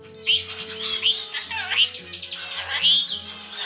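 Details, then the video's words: Caged pet rainbow lorikeets mediating a quarrel, their chatter a rapid run of shrill twittering chirps and short sweeping whistles, almost continuous, with soft music playing underneath. "ケンカの仲裁・飼い主の口癖をものまね ゴシキセイガイインコのお喋り Lorikeets mediate fights"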